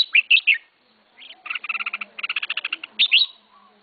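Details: Red-whiskered bulbul kept in a cage by a first-time keeper gives bright whistled slurs, then a rapid string of clipped chirps. The song closes with more looping whistled notes over a faint background hum.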